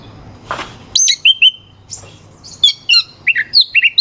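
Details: Oriental magpie-robin song played to provoke rival magpie-robins into singing; after a brief rustle, a quick run of sharp whistles, slurred descending notes and clipped chirps follows in fast succession.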